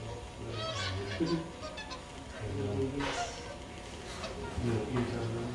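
Whooper swans giving loud, brassy honking calls, several birds overlapping at an irregular pace, over a low rumbling background.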